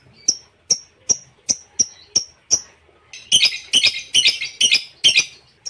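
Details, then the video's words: A lovebird gives sharp, high chirps about twice a second, then breaks into rapid, harsh, buzzy chattering bursts, in a nonstop recording meant for tutoring other lovebirds. "LOVEBIRD TANPA JEDA"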